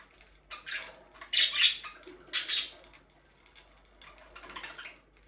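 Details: Captive budgerigars, said to be a breeding pair, make scratchy warbling chirps rising to a loud burst near the middle, then softer chatter, in a small room.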